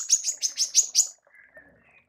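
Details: Female manggar used as a training tutor for songbirds: six sharp, high chirps in quick succession, then faint, thin whistled notes fading out.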